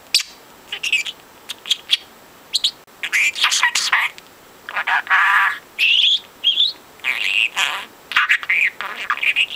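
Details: Four-month-old male budgie that mimics overheard conversations produces muffled, speech-like mumbling interspersed with sharp clicks and squeaky, bending chirps, in irregular bursts.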